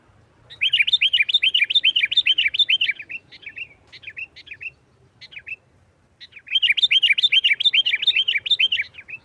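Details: Sooty-headed bulbul delivering a lively nggaruda tarung song for luring other bulbuls: two extended fast trains of bubbly, rising-falling chirps separated by a few isolated softer notes and a short pause.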